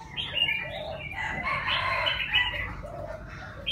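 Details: Six-month-old young Chinese francolin practicing its crow: a harsh, broad, scratchy phrase held for about a second in the middle, with shorter rough notes before and after, over steady chirping from other birds and low background rumble.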